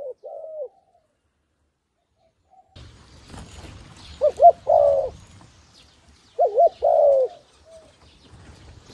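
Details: Decoy dove in Cambodia cooing to draw wild doves to the ground; a lone coo, then after a rustling pause, two groups of bouncing double hoots followed by a longer drawn coo.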